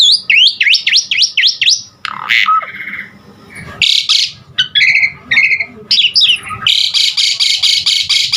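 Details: Asian pied starling song meant as training material for cage birds to sing more; a fast series of rising whistled sweeps, then harsh noisy bursts and varied chattering notes, ending in rapid repeated grating notes.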